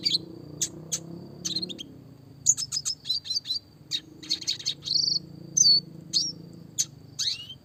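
A red siskin sings bright, rapid twittering phrases of high chirps, short trills and slurred whistles, with a steady thin high whine, like an insect, running underneath.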